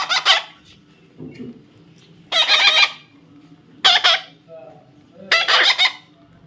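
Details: Baby parrot giving harsh, raspy squawks in four loud bursts spaced about one and a half seconds apart, with quieter low murmurs in between.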